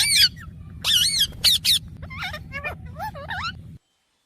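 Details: Mithu talking parrot in a funny moment: loud harsh squawks with wavering harmonics, then quicker looping speech-like warbles, all over a low rumbling drone that cuts off abruptly, leaving silence.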